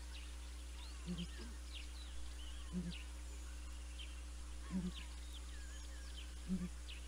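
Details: Pair of Southern Ground Hornbills at Naledi Cat-EYE, filmed by live cam on 19 December 2021: deep, low double booms repeated four times, roughly every one and a half to two seconds, over steady chirping and twittering of small birds.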